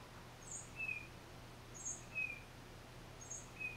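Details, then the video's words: A single tufted titmouse sings thin high notes, each answered by a lower whistled slur, in a steady repeating pattern over a quiet hum, recorded with a Nikon D3500 and Tamron 500mm lens. "1 Tufted Titmouse Solo"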